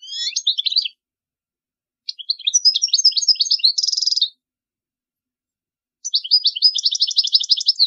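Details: A European goldfinch, whose song is used to teach young chicks, sings three bursts of rapid, tinkling, liquid twitters mixed with a buzzy trill, separated by short pauses.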